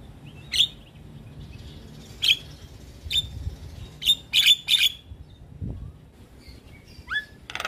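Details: Separate sharp, high chirps and clicks from a Javan myna, sung to prompt decoy mynas to respond. The notes come in uneven bursts, with a tight cluster midway and a brief rising whistle near the end.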